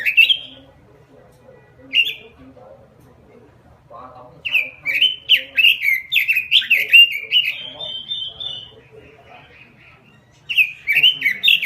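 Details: Full 'gacor' robin lure song, a master recording for songbird training: two isolated whistled notes, a lull, then a rich run of rapid sliding whistles ending in a sustained tone, and a final short burst.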